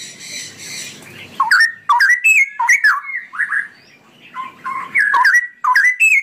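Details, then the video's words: Straw-headed bulbul delivering extended ropelan song, with loud, rapid, mellow whistled phrases that bounce up and down, each one bubbling into the next, after a brief hissy start. "suara burung cucak rowo ropelan panjang"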